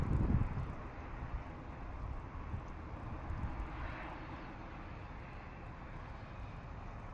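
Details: A passing aircraft drones at low pitch after a brief thump at the start, with no animal voices.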